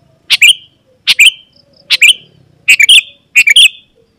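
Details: Sooty-headed bulbul song used to lure wild bulbuls into answering: rapid bright chirp phrases of two or three notes with a slurred whistle, repeated more than once a second.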